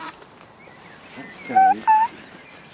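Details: Black swan (Cygnus atratus) on a pond, a soft nasal lead-in followed by two clear, high, trumpet-like notes in quick succession, the second slightly higher and longer, against a calm outdoor background.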